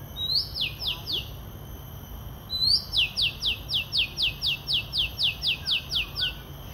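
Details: An Oriental magpie-robin sings loudly at Eco Lake, Singapore Botanic Gardens: a rising whistle, then a fast run of about fourteen sharp, descending high notes, roughly four per second, over a faint steady hum.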